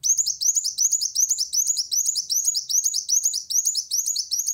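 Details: Olive-backed sunbird singing to challenge a rival in a continuous fast stream of high, buzzy, rising notes, close to three per second, without a break.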